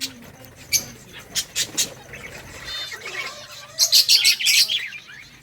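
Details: Budgerigars in a breeding colony, playing and chirping: scattered sharp high chirps early on, then a dense burst of rapid twittering notes near the end, over a quiet background.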